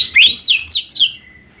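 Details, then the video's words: Mini leafbird singing actively, used as a lure to prompt other birds to respond: four loud, sharp whistled notes, the first rising steeply and the others sliding down, then a soft fading trill. "Cucak Ijo Mini Gacor 💯 Pancingan Paling Cepat Bunyi/Respon 💯Ampuh"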